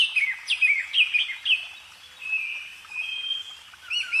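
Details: A songbird sings quick downslurred whistles, then long steady high tones that fade, and closes with bright looping notes. The background is otherwise quiet.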